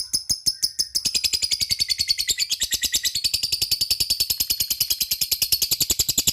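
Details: Lovebird in ngekek style, calling companions: a few separate high chirps give way to a long, fast, continuous chattering trill held through to the end.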